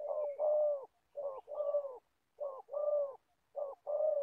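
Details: Spotted dove kept as a trapping decoy in Gia Lai, Vietnam, voicing loud low coos in pairs, clipped first note then a fuller sustained note, with short silent gaps between phrases.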